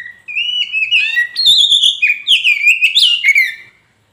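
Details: Oriental magpie-robin of the kacer poci type, a lure recording used to make a silent caged bird answer and sing: a loud, continuous phrase of clear, slurred whistles wavering up and down, with sharp clicks mixed in.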